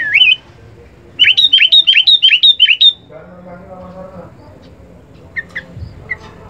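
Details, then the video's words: Sooty-headed bulbul song, used for training captive birds: a bright rising note, then six quick, loud, upward-sweeping whistled notes in a row, followed by faint scattered chirps against a quiet indoor background. "kutilang full power masteran"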